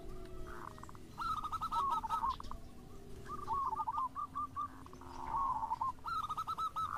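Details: Song of local and crossbred zebra doves played to start other doves singing: several separate phrases of bright, quickly repeated hooked coos, some overlapping, with softer cooing between them and faint background hiss.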